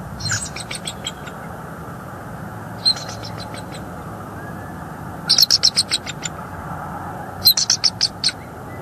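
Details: Bald eagles at a nest tree in northeast Florida's Hamlet area, January 14, 2023, on a live nest cam, a pair moving on and off the nest. Four bursts of high, rapid chittering notes over low steady background hum.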